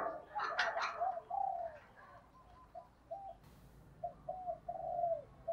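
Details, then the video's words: Spotted dove decoy bird in the thổ voice style, calling early in 2023: soft, low hooting coos in short phrases, partly masked by rustling noise and a brief burst of chirping at the start. "Chim Cu Mồi giọng thổ gáy gọi hai hậu đầu năm 2023"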